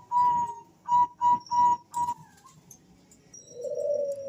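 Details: Male Bangkok zebra dove calling in reply to another male: five crisp whistled notes in quick succession, then a brief rising note and a lower, softer drawn-out note.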